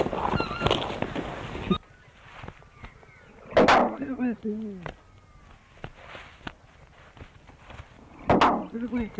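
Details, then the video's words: Australian musk duck recorded by researchers mimicking human speech, repeatedly saying 'you bloody fool', the first documented duck vocal mimicry: two short, rough, speech-like utterances, each a harsh burst then a wavering descending slur, noisy rush at start. "Talking Duck - Said in English - 'You bloody fool'."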